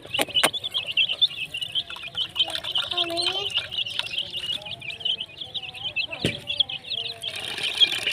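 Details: Colourful baby chickens (desi chicks) chirping together: a dense, continuous chorus of high, rapid peeps from many chicks, with a few lower tonal sounds and brief knocks in the background.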